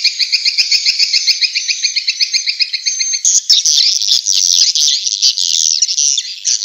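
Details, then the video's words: Vietnamese swiftlet call meant to attract swiftlets to bird houses: an even series of rapid high buzzy chirps for three seconds, then a louder, continuous jumbled chatter. "Tiếng chim yến kêu từ Việt Nam"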